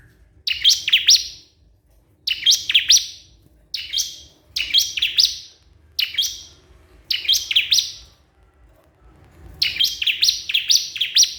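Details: Bar-winged prinia calling a rival, used as a lure to make other prinias answer: crisp groups of three or four sharp, high, downslurred chirps, each group under a second, repeated about every one and a half seconds against near silence.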